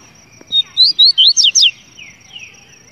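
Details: One complete song from a double-collared seedeater: a straight whistle, then five rapid looping notes, rising and falling. Two faint downslurred whistles from another bird follow.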